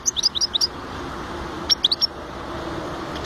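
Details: European goldfinch twittering: a fast run of about eight sharp, high chirps in under a second, a pause, then a few more quick notes, over faint background hiss.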